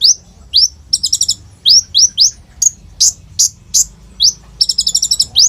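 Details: Sunbird known locally as kolibri ninja, a lively full song used as a lure to get other birds singing, recorded on an Oppo A37f phone: sharp high chirps, upswept whistles and fast rattling trills in quick bursts, little background noise.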